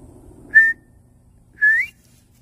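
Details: A wild northern bobwhite (Colinus virginianus) calling back in response to the recordist gives two clear whistles: a short level note, then a longer one slurring upward, over a faint low background hum.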